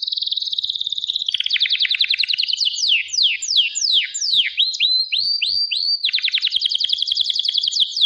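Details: Singing canary: a high rolled trill leading into a series of sharp descending swoops, short rising whistles, then fast repeated trilled notes.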